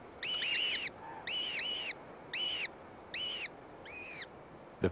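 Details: Gyrfalcon brood at a cliff-ledge eyrie, downy chicks, one a white female barred with black, as a gray female returns with food; five harsh, rasping, down-slurred calls in quick doubled bursts, roughly once a second.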